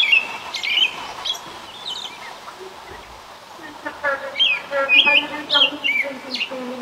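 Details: American robin (Turdus migratorius) singing in the morning: short, clear whistled phrases rising and falling in quick bursts with brief pauses, over a faint low hum.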